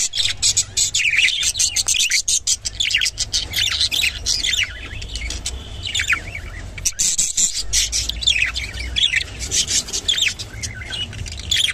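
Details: Long run of busy, twittering budgerigar chatter from a rainbow bird, harsh squawky notes mixed with rising chirps, pausing briefly partway through, over a low rumble.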